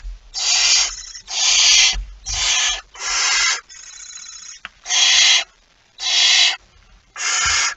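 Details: Barn owl at its nest with a mouse, recorded past midnight on 23 September 2019; eight or so coarse hissing bursts, roughly half a second each, in a fast irregular sequence, one softer and thinner midway.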